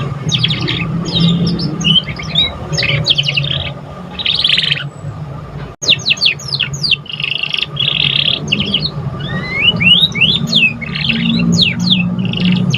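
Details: Fledgling canary beginning to sing, offered as stimulation for other birds: buzzy trills and rapid rising and falling chirps pour out continuously, with a short break midway and a steady low hum in the background.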